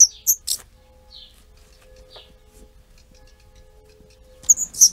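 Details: Tree pipit that nested on a house terrace and raised four young in summer 2016; scattered shrill high chirps and a few lower sliding notes, a pause of near quiet, then another cluster of sharp chirps.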